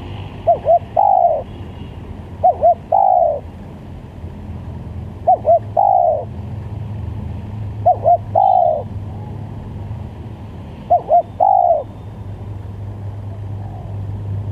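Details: Spotted dove lure call repeated five times about every three seconds: two short coos leading into a longer falling coo, against a steady low drone.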